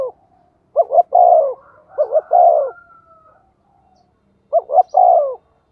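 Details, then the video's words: Spotted dove used as a decoy, calling thổ-style. Three phrases of double short notes ending in a long, falling coo are heard. The first two come close together and the third follows after a pause; a faint thin whistle is heard between them. "Chim Cu Mồi/ cu gay kich boi nhanh noi"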